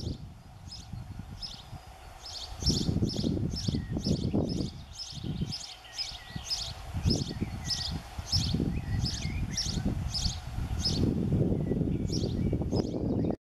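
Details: Eurasian wryneck (Jynx torquilla), call.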